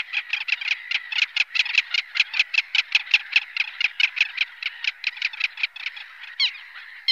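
A Little Gull gives a fast, steady series of short, nasal, high 'kek' notes, about eight each second, with a few sharper notes near the end.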